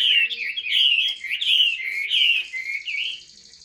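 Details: Caged Chinese hwamei singing loud whistled phrases, sliding and warbling notes repeated in quick succession, each phrase slurring down then up, clear and continuous with no other sounds.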